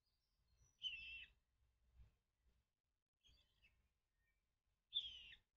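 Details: Nestling common kingfisher in an artificial nest box crying for its absent mother: two loud harsh high calls about four seconds apart with a softer one between, faint low thumps in the background.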